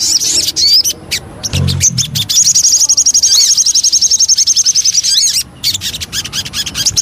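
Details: Sogon, the Javan cochoa, in a lure track: opening high chirps and clicks, a brief low thump, then a long fast trill of thin repeated notes, followed by more sharp clicks.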